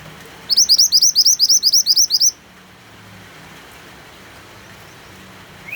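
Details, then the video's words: White-eye singing over steady rain: a quick run of about a dozen high, thin rising notes lasting under two seconds. After it, only the hiss of rain is heard. "MANTENAN GACOR DENGAN SUARA HUJAN"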